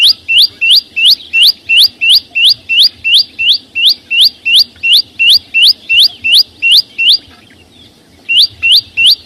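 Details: Song of the chim sâu xanh: a long run of rapid, even, upward-slurred high whistles, roughly three per second. A pause of over a second follows before the series picks up again.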